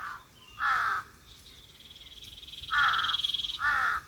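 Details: Crows around a rice-field hut on a sunny, windy day: three loud, raspy caws, with a thin, steady high buzzing trill between the last two.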